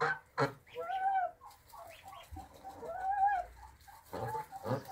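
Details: Russian Kholmogory geese protecting their offspring, giving loud nasal honks that arch up and fall, in two drawn-out calls separated by sharp broadband knocks and clatter.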